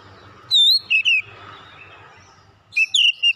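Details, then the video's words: Oriental magpie-robin, young bird of fighter character, giving a few loud high whistles and wavering notes over low background rumble, then another short whistled burst. "Kacer bahan cepat keluar karakter fighter"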